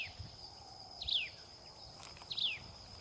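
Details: Common tailorbird feeding its baby birds; two loud, sharp high chirps sweeping downward, about 1.3 seconds apart, over a continuous whining insect chorus.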